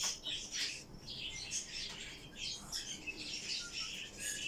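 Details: Two-day-old cockatiel chick, feeding: rapid, high-pitched squeaky peeps in short bursts, with soft rustling underneath.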